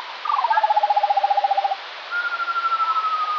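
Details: Eurasian skylark song recorded in the morning, possibly more than one bird, played back slowed down: a rapid run of about twenty evenly repeated warbling notes, then a long, slowly falling whistle with a faint pulsing texture.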